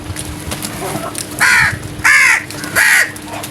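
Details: Three loud, rasping crow caws in quick regular succession, each slightly downward-curving, given in the early morning over a quiet hum and faint background murmur.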